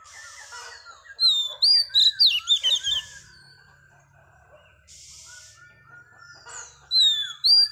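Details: Song of a female Oriental magpie-robin meant to stimulate males. Loud runs of shrill whistles and twittering trills alternate with quieter, lower chirping phrases, and a second loud burst closes the sequence.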